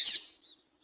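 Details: One brief female double-collared seedeater call, used to make a male sing: a single high, hissing squeak that fades quickly into silence.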